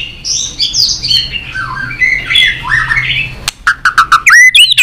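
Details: Competitive singing by a tail-flicking white-rumped shama: soft, rambling warbled and slurred notes for over three seconds, then a sudden series of sharp clicks and loud clear whistles repeated in quick succession.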